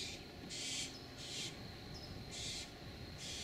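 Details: Barn owl family before dawn in San Rafael, California, on June 3, 2012: harsh, drawn-out hissing screeches about half a second long, repeated with short gaps, over a steady low background hum.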